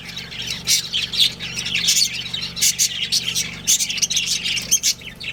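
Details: Budgerigars, a pet breeding pair, chirping and squawking: dense, scratchy high chirps in quick irregular bursts, with a steady low hum underneath.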